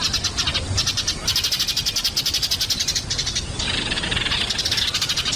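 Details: Sparrows chirping in a dense, continuous chorus of rapid, high, sharp notes that overlap without pause, with a brief shift in texture after three seconds.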